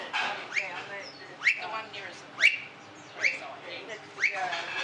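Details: Blue-faced honeyeaters, several birds at a café in Tin Can Bay, Queensland, in September 2017: loud upslurred calls rising sharply, given about once a second in a series of five, with soft chatter and café murmur behind.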